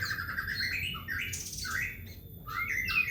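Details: White-rumped shama singing, a loud, clear song meant as a lure for shamas kept at home: varied whistled phrases, some sliding up and down, with brief pauses between. Faint low hum underneath.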